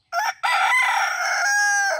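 A rooster crows loudly: a short opening note, a brief pause, then a long harsh drawn-out cock-a-doodle-doo that holds steady and drops at the end.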